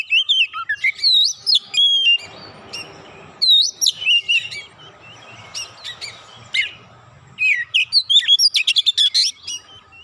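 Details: Stirred up after a single provocation, an Oriental magpie-robin rattles through its isian fill-in phrases: varied loud whistles and upslurs, a brief quiet stretch, then a fast, stuttering run of rapid chips near the end.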